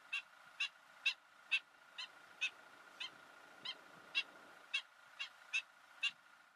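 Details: A Wood Sandpiper in the Ebro Delta, Spain, in August 2015, gives a series of sharp, high chip notes, about two per second, over a faint steady hum.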